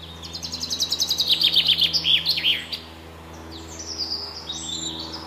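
A chaffinch sings a bright, quickening cascade of descending notes that ends in a flourish, followed by fainter high chips. A low steady hum runs underneath.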